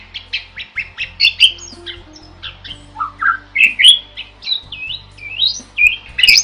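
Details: Starling song made for tutoring other birds: a busy run of varied chirps, squawky notes and whistled slurs, some rising and some falling, repeated in quick succession with a faint low hum beneath.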